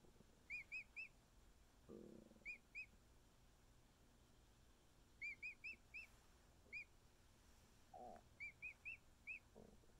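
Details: Week-old male emu chick snuggling with its keepers gives bursts of two to four sharp whistled peeps, each arched in pitch, repeated every few seconds, with occasional handling rustles and soft thumps between calls.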